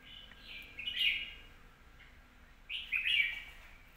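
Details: Red-whiskered bulbul with clear song delivery, heard a little more distantly: two rich warbled whistled phrases about two seconds apart over a soft hissy background.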